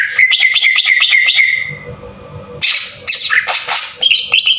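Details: Green leafbird singing in a harsh bursting style as a lure to provoke others: a rapid series of short chirped whistles, a pause, then loud squawky harsh bursts and high notes; low hum beneath.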